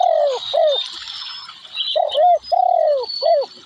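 Spotted dove giving soft, low hooting coos in short, slightly falling phrases, two or three notes at a time, with faint high twittering from other birds behind.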